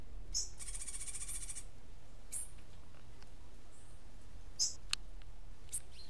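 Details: Cuban grassquit singing in the martillito style, a song its owner calls unique. A dense, high, buzzy trill lasts about one second, then scattered thin high chips follow over a faint low background hum.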